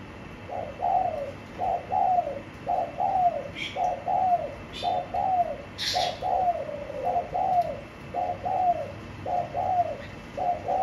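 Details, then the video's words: Caged spotted dove cooing steadily: soft, low, hooting two-part coos repeated about once a second throughout, with a few faint clicks and a brief higher chirp from another bird in the room. "Bổi Nổi Đít Lồng Xanh Dương"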